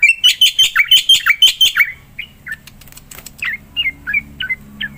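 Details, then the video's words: Black-winged myna in lively song, played to stir a quiet myna: a fast regular run of about eight loud buzzy whistled notes, then a pause and sparser, softer chirps and clicks. "JALAK PUTIH GACOR"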